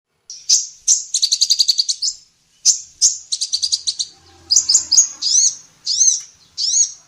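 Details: Female sunbird, known locally as kolibri ninja, singing actively in a recording used to train songbirds: very high, thin chirps in quick trilled bursts, then sharp rising-falling notes spaced about half a second apart.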